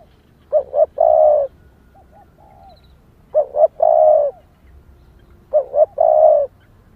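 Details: Female spotted dove calling to excite males: three evenly spaced phrases, each two quick clipped notes then a long rough coo, roughly every two and a half seconds, with faint softer notes between.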